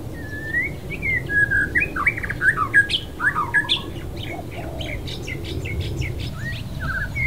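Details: White-rumped shama singing a varied run of whistled phrases, sliding and rising notes with quick chirpy flourishes, a steady low background hum underneath.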